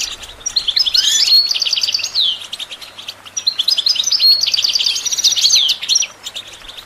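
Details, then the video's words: European goldfinch song, used for training songbirds: two bursts of bright, high twittering, each with rapid buzzy trills and clear whistled slurs that sweep downward, separated by a short pause. "Goldfinch Training With Stimulating Support for Songbirds"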